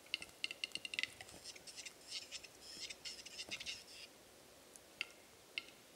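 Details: Western capercaillie males displaying at a lek one April 2017 morning, eleven males and twenty females before hides; a run of sharp dry clicks speeding up, then rasping whetting phrases, further isolated clicks later.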